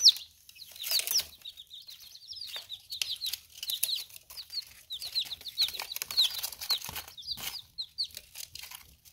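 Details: Chicks under ten days old feeding and drinking give a steady run of thin, high peeps from several birds, mixed with pecking and rustling sounds.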